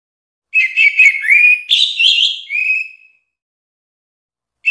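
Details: Orange-headed thrush song: a rich run of clear whistled and warbled phrases around mid-high pitch, sliding and looping for about two and a half seconds, ending in a long drawn whistle, then silence before another phrase begins.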